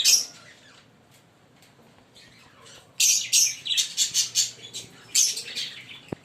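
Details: Two green Fischer's lovebirds: one shrill note, a quiet stretch, then a rapid string of loud, harsh chirps repeated roughly every third of a second, ending with a click.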